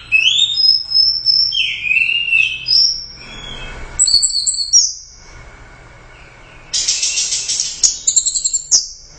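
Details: Competition orange-headed thrush, Royal Cup winner, singing 'gacor teler doyong': repeated high whistled slurs, a brief lull with low background hum, then a fast buzzy rattling burst and trailing whistles.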